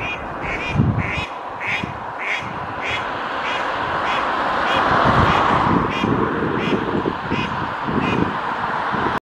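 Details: Female mallards quacking at Oksywie, 2 April 2021, two pairs present: a quick series of nasal quacks opens and returns later, with a swelling broad rushing noise in the middle.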